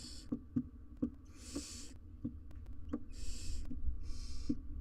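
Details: Wild barn owl family, two adults and three nestlings, inside a nest box filmed on a live cam; long broad rasping hisses of about half a second to a second, with soft regular low clicks and tapping throughout.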